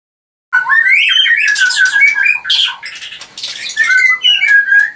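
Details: Caged white-rumped shama (murai batu) at a bird farm in Anyer, Banten, singing to provoke rivals: rich varied whistled phrases with rising and falling slurs and harsh chattering notes, loud and continuous after a short silence.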